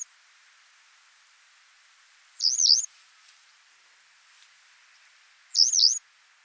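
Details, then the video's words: Western yellow wagtail in France calling twice, roughly three seconds apart: each call a shrill, trilled, slightly wavering tsree note, with quiet background hiss between. "Bergeronnette printaniére - Western Yellow Wagtail - Schafstelze ( Motacilla flava )"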